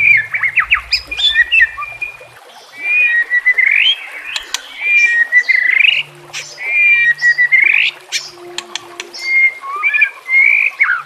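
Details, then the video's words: White-rumped shama training song for captive birds: repeated phrases of rising whistled sweeps and chattering notes, varied and loud, with sharp high clicks and a low droning hum in places. "JELAS NYAUT dan NGAMUK dengan pancingan murai batu"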